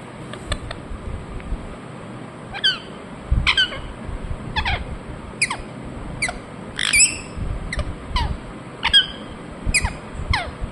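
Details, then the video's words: Indian ringneck parakeet calling repeatedly: about a dozen short, sharp, downward-sliding squawks scattered unevenly across ten seconds, some louder than others, with low rumbling background noise throughout. "Parrot Chirping sounds Natural Sound | Ringneck parrot Naturals Sound"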